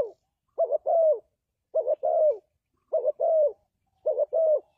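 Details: Spotted dove cooing in clean call used to lure doves into traps: two-part phrases, a short note then a longer, descending coo, repeated about once every 1.2 seconds, with no other sounds.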